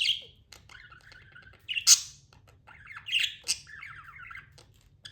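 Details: Budgerigar, a tame pet bird, chirping indoors: rapid warbled chatter around mid-high pitch broken by louder harsh squawks near two and three and a half seconds, with a low steady hum underneath.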